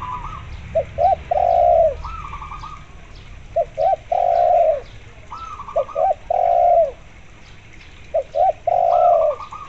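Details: Spotted dove cooing steadily, mixed with local zebra dove sounds to lure zebra doves into calling: four phrases of two quick notes and a drawn-out mellow coo, alternating with higher, rippling zebra dove phrases.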